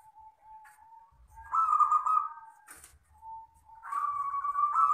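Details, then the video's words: Long crystal-style song of a local wild zebra dove, used for bird-keeping lures. Thin steady notes swell into loud, buzzy, purring coos. A brief click or rustle falls between the phrases. "perkutut lokal alam gacor ( suara kristal panjang )"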